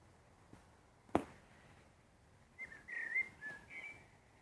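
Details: Common blackbird at sunset giving a short burst of fluted, whistled phrases after a single sharp click, with quiet surroundings between the notes.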